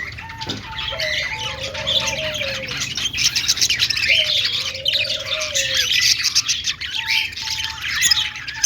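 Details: A group of budgies making happy sounds, a continuous hiss-like warbling chatter with short repeated whistled notes and two long low gliding tones.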